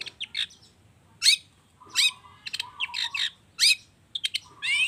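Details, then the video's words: Agitated long-tailed shrike singing a song full of rich mimicked phrases, used to lure other birds into singing: sharp rising and falling chirps, fast buzzy bursts and short steady mid-pitched whistles, delivered in irregular bursts with brief pauses, over faint low background hum. "Pancingan cendet emosi, full isian mewah"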